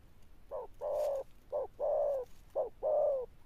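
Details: Wild-caught spotted dove giving 'Sấm Thổ' style coos. Three pairs of a brief clipped note followed by a longer, slightly falling hollow coo, with short quiet gaps between pairs.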